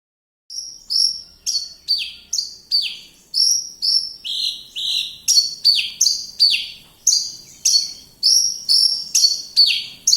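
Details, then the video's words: Javan bush lark from Kediri singing a rapid series of loud, high notes that slide downward, about two per second, clean and close, with near silence behind them. "Branjagan gacor"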